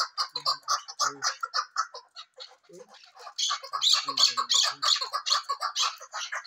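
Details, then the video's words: Female chukar partridge giving fast, harsh, squawking chuck notes in a continuous rhythmic series, briefly slowing near the middle before growing louder and more insistent toward the end. "chakor keklik sesi 1 female"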